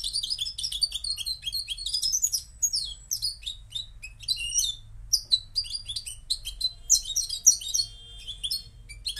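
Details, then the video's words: Moroccan goldfinch in continuous song: rapid tinkling twitters and buzzy slurred notes pour out, with brief pauses and a few sharp high accents near the end; low background hum. "jilguero marroquí"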